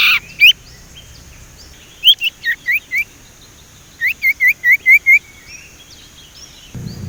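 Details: Sumatran leafbird, a young bird learning to whistle, repeats short rising whistled notes in two runs of about five each, evenly spaced, above a quiet background with a low rumble near the end.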